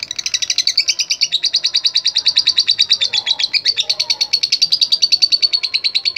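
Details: Lovebird singing a contest-style song meant to provoke rivals: rapid, high, rattling chirps repeated steadily around three per second, slightly descending in pitch through the phrase, over a quiet background.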